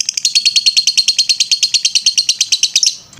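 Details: Lovebird ngetrek song, used as a training master: a brisk series of evenly spaced high chattering notes, around six per second, ending abruptly with a short soft rustle.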